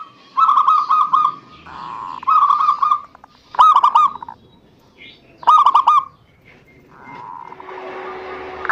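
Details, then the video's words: Zebra dove song played to stimulate other doves: separated bursts of fast, hooked cooing notes, each phrase about half a second long, with faint background hiss toward the end. "Terapi Perkutut MaLas Bunyi_Rutinkan Pancingan Ini Pagi Siang Sore"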